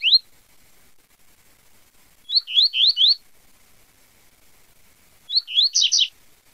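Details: A double-collared seedeater sings in the tui tui zel zel style, giving short groups of three or four quick upward-slurred whistles separated by about two seconds of silence, the last group ending in a buzzier flourish.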